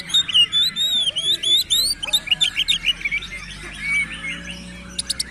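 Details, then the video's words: Oriental magpie-robin song of clear looping whistles, repeated up-and-down slurred notes at first, then quicker varied chirps and twitters, ending with a few sharp clipped notes. "Kacer Gacor konslet"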